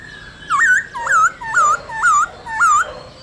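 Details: Black-throated laughingthrush wild-style song, used to stimulate captive birds to sing: five loud whistled phrases, each a quick upward slur into a wavering note, repeated roughly every half second over faint background hiss.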